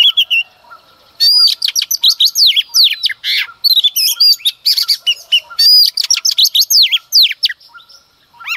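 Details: Female Oriental magpie-robin singing early in the morning to provoke males: after a short whistle, a rapid, dense run of varied chirps, slurs and sweeping notes pours out almost nonstop for about seven seconds.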